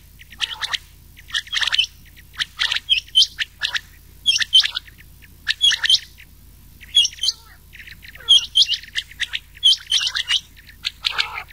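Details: Mixed recording of rain quail and old quail for summer night hunting: steady series of sharp high double notes interleaved with dense rasping chirps, continuing without a break.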